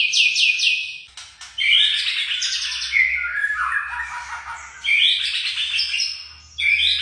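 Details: Young white-rumped shama in a varied song: quick descending trill notes, then rich warbling phrases with buzzy and clear whistled tones, rising again near the end.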